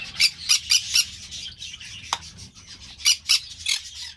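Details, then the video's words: Green-cheeked parakeet (Pyrrhura molinae) giving four quick, rasping squawks in a row, a pause with a single click, then three more harsh calls. "Pyrrhura molinae - Parrocchetto guanceverdi"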